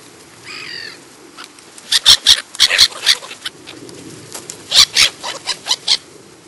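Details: Black-headed gulls in the New Forest, Hampshire, England, July: a brief harsh call, then a rapid series of short sharp clicking notes and chatter, irregularly spaced, with distant background sound.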